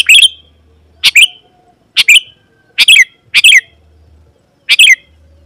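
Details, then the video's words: Sooty-headed bulbul (kutilang) in persistent song intended to make wild birds of its kind answer and come closer: six brisk, bright phrases of a few slightly harsh notes at irregular gaps, over a steady low hum. "Suara Burung KUTILANG GACOR Memanggil Lawan Burung Kutilang Liar Auto Nyaut dan Mendekat"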